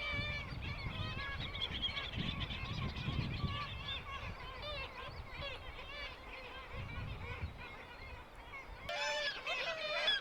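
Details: Black-legged Kittiwakes at a colony, with courting adults and one adult apparently trying to regurgitate food; many overlapping harsh, nasal calls repeating steadily, with a louder burst of calls near the end over low rumbling wind or water.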